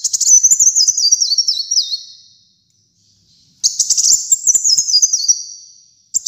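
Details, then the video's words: Two long high-pitched sunbird phrases, kolibri muncang, each a rapid stepped twitter descending over roughly two seconds, separated by a second of silence and a final clipped start. "Kolibri Muncang Gacor Dor"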